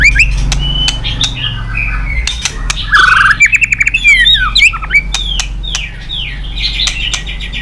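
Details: White-rumped shama song meant to spur other birds to sing: mixed whistles, harsh squawks and a quick burst of chattering notes near the middle, over a steady low hum.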